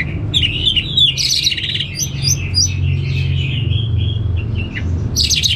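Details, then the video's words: Orange-headed thrush kept in a cage in North Bali singing a busy mix of harsh notes, whistled slurs and rapid chirps, followed by a short burst of squawky notes near the end, over a low hum. "Diputarr ANIS MERAH Langsung Gacor Nyaut Joss"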